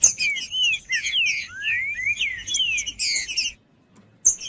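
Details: Green-winged saltator delivering a long, fluent phrase of clear whistled notes, several rising and others falling, over about three and a half seconds. A brief silence follows, then one more burst.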